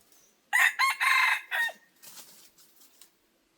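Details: Red junglefowl used as a decoy to lure wild junglefowl, crowing once loud and harsh: a stuttering opening, a long strained middle and a falling end, then quieter broken notes trailing off into a silent, calm background.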